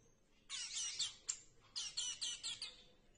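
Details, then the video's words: A hungry hand-reared star finch chick begs for food with harsh, raspy, high-pitched buzzes in two urgent bursts, the second broken into rapid pulses. "Star finch / Люто голодный птенец тростникового астрильда"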